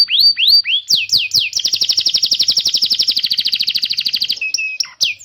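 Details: Domestic canary song meant to teach young birds and restart canaries that have gone quiet: a few falling whistles, then a long fast rolling trill of rapid notes for nearly three seconds, ending in clipped chirps.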